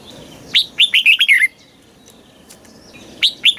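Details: A red-whiskered bulbul in Thailand gives a southern master-style song for stimulating other bulbuls and tutoring young ones: one brisk phrase of six liquid, whistled notes falling in pitch, then a short silence before a new phrase begins.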